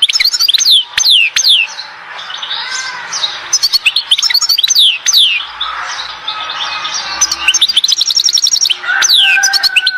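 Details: European goldfinch singing at Oued Zhour, Skikda: bright twittering phrases of sharp down-slurred and rising notes, broken by short pauses, with a softer chattering undertone between bursts.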